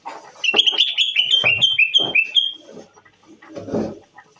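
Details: Moroccan bulbul pouring out a fast series of clear whistled notes, each slurring downward, with loud clicking taps mixed in and a rustling noise afterward.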